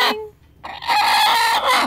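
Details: Broody hen sitting on her nest of eggs, answering as she is spoken to: a brief nasal note, then a long, loud, drawn-out harmonic growl-like call holding steady before tailing off.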